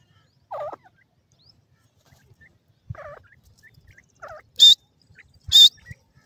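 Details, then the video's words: Grey francolin from Sindh: two loud, harsh, ringing bursts about a second apart, preceded by softer wavering mid-pitched notes, over an otherwise quiet background. "pakshi teetar ki awaz"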